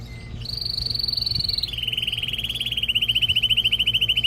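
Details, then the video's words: Male canary song meant to excite a female for mating and to teach young birds: a sustained high whistle, then a long, fast, even rolling trill that grows louder, over a low background hum. "تغريد طائر كناري جبار يحفز الذكر ويهيج الأنثي لتزاوج قمة الابداع لتسميع الفراخ | canary singing"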